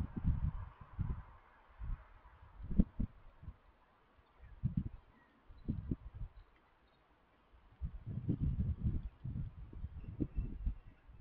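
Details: A pair of stock doves being affectionate with each other give deep, muffled cooing pulses in irregular bursts about a second apart, with quiet pauses between phrases and faint background rustle.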